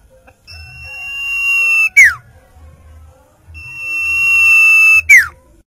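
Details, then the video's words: Common iora giving two phrases: a long even whistle gradually swelling in loudness, then an abrupt loud downward slur, repeated after about a second and a half of quiet background hum. "burung sirtu/sirpoh/cipoh"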